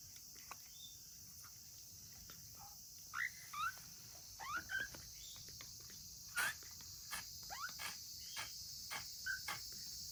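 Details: A lone African grey parrot chick born August 2020, raised at a breeding facility, calls plaintively: scattered short upward-sweeping whistled chirps in pairs and singles, with soft clicks between, against a constant high-pitched hiss.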